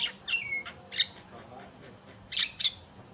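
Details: Javan myna song used as a tutor and lure recording to set other mynas singing: harsh squawks mixed with short whistled notes and a brief falling whistle, given in bursts with pauses.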